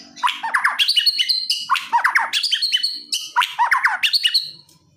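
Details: Aggressive white-rumped shama song used to provoke rivals: rapid bursts of sharp, descending chattering notes with high metallic twitters, three dense phrases over a few seconds, then silence.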